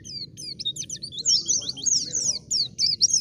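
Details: White-eye singing in a wild-style lure recording meant to draw replies from other white-eyes: a short, tangled run of very high, quick slurred chirps, softer at first and then louder and denser.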